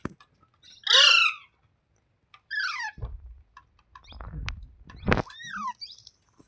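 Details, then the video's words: Pet green parrot with a single loud piercing screech, then softer falling calls, low thumps and a brief sharp squawk after a pause. "Green Parrot Talking | Funny Parrot Sounds Videos | मिट्ठू की आवाज़ | तोते की आवाज़"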